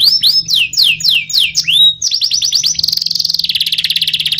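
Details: Canary in ngerol nembak style song, beginning with loud looping whistled swoops, then a quick trill of clipped notes and a long fast buzzy roll, over a low steady hum.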